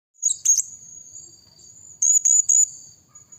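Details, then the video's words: Blue-crowned hanging parrot call used as a lure to attract other birds: very high, shrill buzzy bursts in two clusters, near 0.3 and 2 seconds, over a thin, steady high tone. No other sounds. "Suara Serindit Pikat Paling AMPUH"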